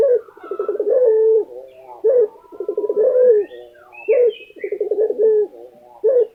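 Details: Lutino Barbary dove, an Indonesian pet bird, giving repeated coos: a sharp lifted note, a quick purring series of pulses, then a smooth sustained tone, about every two seconds. Soft high chirps sound faintly.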